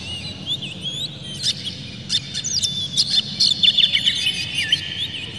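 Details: Oriental magpie-robin, an emotional singer with tail open, used to make other magpie-robins sing: rising and falling whistled slurs mixed with rapid high chips, growing denser toward the end, over a soft low hum.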